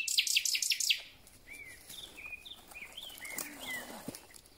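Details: Thrush nightingale singing at the start of spring: a burst of rapid dry clicks, then a run of soft, short whistled notes that slide up and down, spaced under a second apart.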